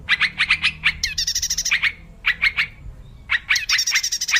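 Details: Wild yellow-vented bulbul song used as a trapping lure: bursts of rapid bubbly chirping notes, interspersed with brief higher buzzy trills, in quick repeated phrases with short gaps.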